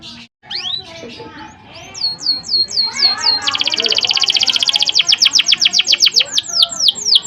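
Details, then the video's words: Lively canary singing so that other canaries join in: scattered whistles open into repeated swooping notes, then a long, dense, buzzy trill rolling into a series of strong sweeping notes. "Masteran suara burung kenari GACOR ngerol PANJANG seept rapat || kenari lain ikut EMOSI"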